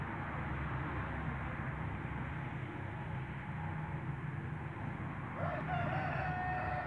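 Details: Light Brahma rooster, a huge bird on a farm in Skydra, Greece, 2019, begins a long level crow partway through, rich in harmonics, over constant low-pitched farm rumble and noise.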